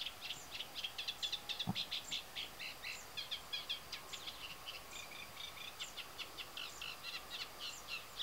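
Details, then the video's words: Eurasian reed warbler singing in late spring breeding season at Tancat de Milia reed marsh, Sollana, near l'Albufera, Spain: a steady, chattering run of short, scratchy notes, each repeated two or three times at a fast, jerky pace, over faint hiss. "Eurasian Reed Warbler | Carricero común cantando"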